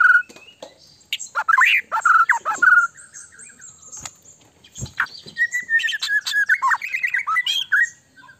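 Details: White-rumped shama song played to make another shama respond quickly: rich whistled phrases and rapid chatter, then a long series of fast warbled notes with clicks in between.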